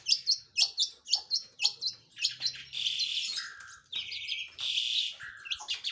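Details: Long-tailed shrike in active song: a quick series of sharp, high chirps, then harsh buzzy drawn-out notes alternating with lower slurred whistles, over a faint low hum.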